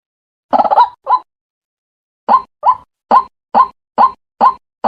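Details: White-breasted waterhen lure recording used for trapping: harsh, croaking kru-ak notes, first a quick burst, then a steady series about two per second.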